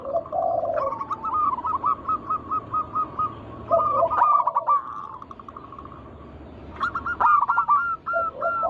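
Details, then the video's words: Wild local zebra doves in song, recorded as a lure for other doves. Lower rolling coos alternate with even, quickly repeated short cooing notes, followed by a quiet stretch and another burst. "Pancingan burung perkutut lokal alam gacor suara mengundang bunyi langsung emosi"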